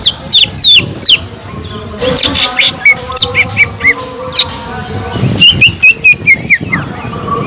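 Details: Greater green leafbird in full song with imitated kingfisher notes, used to prompt other leafbirds: quick falling whistles, then a dense stretch of overlapping chirps, ending in a run of bright, sharply rising notes.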